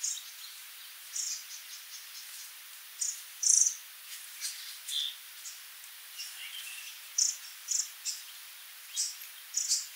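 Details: Stachyris herberti, the sooty babbler, uttering a string of brief, thin, high chips and squeaks at uneven spacing, some louder bursts near the middle and end, over steady quiet hiss.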